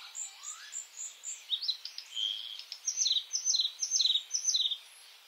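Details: Singing white-spotted bluethroat (Luscinia svecica cyanecula) in May, opening with high thin notes, a drawn-out buzzy middle, then a quick string of bright, ringing doubled notes repeated twice a second.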